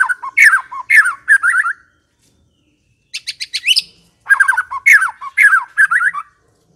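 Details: White-rumped shama, recorded as a lure to draw a reply: three loud bursts of varied, quickly slurred whistles and chirps separated by short pauses, with a sharp rapid high series in the middle.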